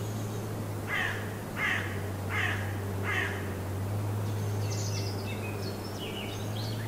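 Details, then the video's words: Morning in a garden in Germany, birds calling: four hoarse, harsh calls about a second apart, followed by faint high twittering song, with a low continuous hum beneath. "Tent steaming in the morning sun with german birds singing"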